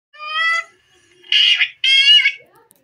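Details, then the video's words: Indian ringneck parakeet, a pet parrot, chattering while dancing: three harmonic-rich vocal bursts, the first a steady tonal phrase, then two louder buzzy speech-like syllables, with short pauses between. "Indian Ringneck parrot bird danceing and talking"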